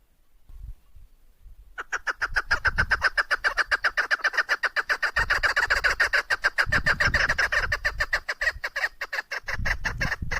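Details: Female chukar partridge calling: after a short quiet start, a fast run of harsh, clucking chuk notes, about three to four per second, steady and loud for the rest of the clip, with dull low thumps underneath.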